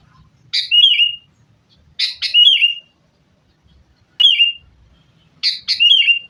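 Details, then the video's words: Sooty-headed bulbul lure recording to encourage caged birds to sing, fighting: four similar phrases, each a double harsh note and a warbled descending whistle, about every one and a half seconds. "kutilang gacor TARUNG buat pancingan kutilang agar bunyi jadikan burung kutilang gacor"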